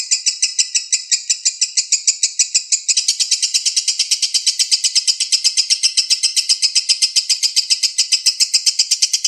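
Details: Relentless high-pitched lovebird konslet lure song, a rapid rattle of chirps that grows denser and more continuous after three seconds.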